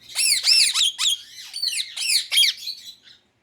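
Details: Pet Indian ringneck parakeet giving an unbroken rapid run of piercing, arched screeches, about four per second, fading out at the end.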